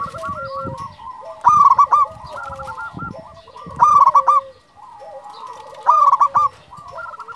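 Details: Local zebra dove, a champion frequent singer, calling: loud bursts of staccato, ringing coos repeated about every two seconds, with softer rolling coo series from other doves running continuously underneath.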